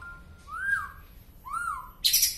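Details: White-rumped shama from Penaron, East Aceh, giving an unusual song of two smooth, rich, arching whistles about a second apart, ending in a sudden harsh, noisy burst.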